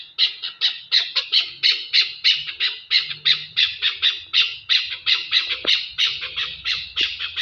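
A Chukar partridge gives a fast run of harsh, clucking chuck notes, about three each second, steady and insistent, with faint low background rumble.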